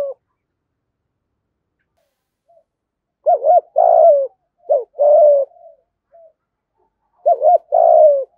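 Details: Spotted dove cooing in the 'thổ' voice, 'gù thúc' style, used to lure wild doves. After a quiet start come three low phrases, each of clipped coos and a long drawn-out coo that slides down in pitch. The background is silent.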